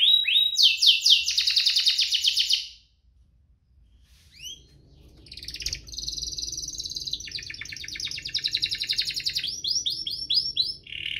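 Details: Two canaries singing as a tutor recording to get canaries singing; a loud high trill opens, then a short pause and faint notes, followed by long buzzy rolled trills and upswept whistles over a low background hum.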